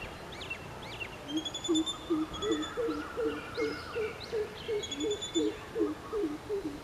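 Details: Greater coucal calling: a steady run of low, resonant hoots in quick succession, often doubled, building in strength; high whistled notes and chirps from other birds above.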